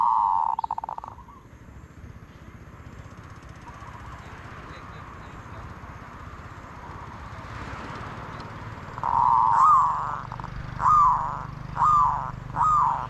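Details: Zebra dove calling: a short burst at the start, then a quiet stretch of hiss, followed by four separate rising-then-falling cooing notes spaced about a second apart.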